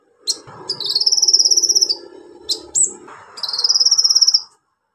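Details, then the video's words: Energetic orange-headed thrush song played to coax silent birds into singing: two long, rapid, pulsed high trills separated by sharp whistled upslurs, with faint low background murmur. "KONIN GACOR NEMBAK ISIAN PANCINGAN KONIN MACET BUNYI"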